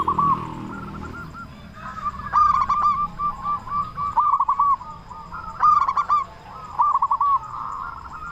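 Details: Local zebra dove with a big voice, played as a lure to rouse other doves to sing: loud rapid coo bursts about every three seconds over a steady chorus of softer distant coos.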